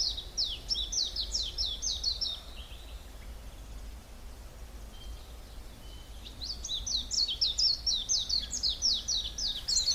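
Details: Birds in the Hallerbos forest south of Brussels, Belgium: a burst of rapid high descending notes, several seconds of near quiet with faint distant calls, then another fast bright run of similar notes; low background hum.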